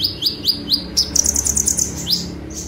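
A sunbird sings high, thin notes, a string of sharp sweeping chips about every quarter second, then a quick rapid trill, over faint low background hum.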